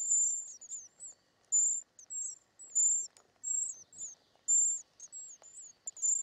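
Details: Feeding of short-toed treecreeper young in the nest; high, thin, hissy calls in uneven bursts, some louder and longer, others short with falling ends, separated by brief gaps.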